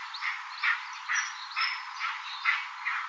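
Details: Eastern imperial eagle calling: a steady series of hoarse, barking notes, about two each second, sounding thin and narrow in range, with no other clear sounds behind them.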